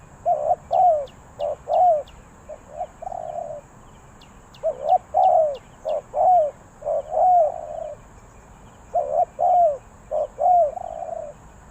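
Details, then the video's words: Spotted dove from Ninh Thuận, Vietnam, calling in the three-kuk drooping style: low, hollow coo phrases of four or five notes, each phrase lasting about two seconds, with pauses between them and faint high ticks above. "เสียงนกเขาใหญ่ 3กุกห้อย เรียกลงกุก2กุก,Cu gáy Ninh Thuận,The Sound Of Cuckoo Bird"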